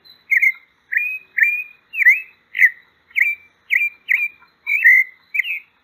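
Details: Sabiá-poca, or pale-breasted thrush, delivering about ten short whistled notes, many sharply rising then levelling off, evenly spaced roughly every half second, with no other sound.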